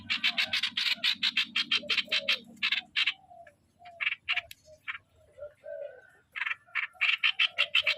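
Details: Decoy streak-eared bulbul in so-style song, quick harsh notes trailing into sparser, spaced-out ones before speeding up again, with a low hum at first.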